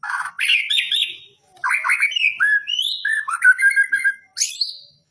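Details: Magpie-robin singing nonstop at a bird contest pole, caged, pouring out a rich medley of rising and falling whistles, slurred phrases and sharp high notes with only brief gaps.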